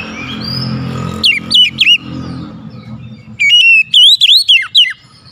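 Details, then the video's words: Oriental magpie-robin singing, used to lure a bird that will not sing: short bright whistled notes that sweep down, then a longer run of rising and falling whistles over steady low traffic noise. "PANCING KACER MALAS BUNYI"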